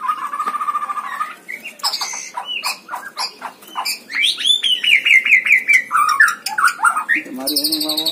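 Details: White-rumped shama singing at a bird-song competition, offered for training other birds: a steady whistle, then quick clicking notes and a long sequence of rapid, rising-and-falling trilled phrases.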